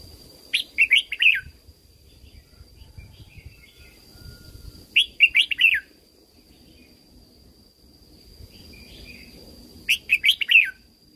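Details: Red-whiskered Bulbul, caged, from Thailand, singing for the training and stimulation of other birds. Three near-identical phrases of four or five chirpy, warbled whistles come roughly every four to five seconds, with soft rustling and a steady high tone.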